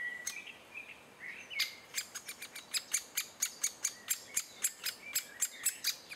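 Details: Great spotted woodpecker adults bringing food to chicks, June 2011; after a few whistles from another bird, a rapid steady series of sharp clicky notes, about four per second.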